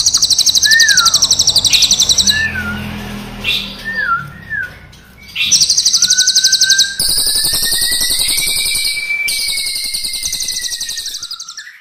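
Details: Crested jay, black and brown birds, singing long rolling rattles mixed with short whistled slurred notes, then a long rising whistle beneath continuous fast metallic pulses.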